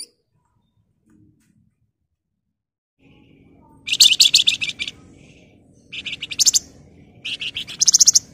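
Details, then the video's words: Flamboyan bird in tightly packed 'ngebren' singing: three long bursts of harsh, rapid, high chattering notes about a second and a half apart, over a faint low hum. "Burung Flamboyan Gacor Emosi Ngebren Rapat Nyerecet"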